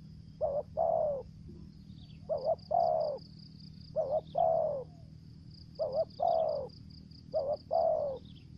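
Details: Trà Vinh, Vietnam, lure spotted dove in 'thổ dế' voice, with 'dập' and 'mai rừng' style, gives six phrases of a short paired note then a sustained falling coo, roughly every 1.7 seconds; a shrill pulsing whine and low hum continue.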